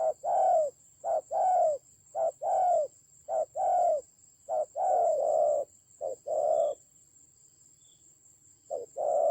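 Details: Decoy spotted dove in a fight, Central Highland forests of Vietnam, 19 October 2020; deep repeated coos in short-long pairs, then a pause of about two seconds before cooing resumes, over a faint steady high hum.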